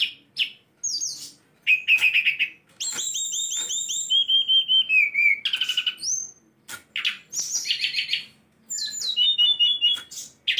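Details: A tame captive sulingan gunung sings a long, varied medley of sharp chirps, slurred whistles and rapid descending trills, with short pauses between phrases.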